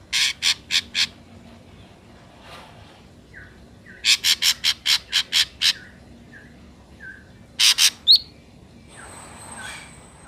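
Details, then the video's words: Ashy drongo, a natural recording used as a lure for trapping wild drongos: bursts of harsh, buzzy squawks in quick groups of three to six, separated by soft short whistled notes, over faint background hiss. "SUARA BURUNG SRIGUNTING ABU ASLI SUARA ALAM"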